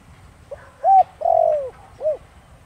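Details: Spotted dove giving the Thổ Đồng cooing style to make wild doves respond. Faint first note, rounded arched coo, long vibrating note dropping in pitch, then a short end coo, over a quiet background.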